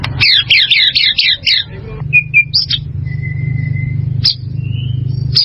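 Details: Caged white-rumped shama song used for training birds: a fast run of repeated sweeping chirps for about a second and a half, then sparse thin whistles and sharp notes over a steady low hum.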